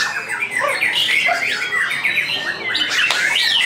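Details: Freshly moulted white-rumped shama on its hanging pole, a contest bird placed second at Kejobong Jaya Ronggolawe: dense, varied song of quick chirps, short slurred whistles and scratchy rattling phrases delivered without pause.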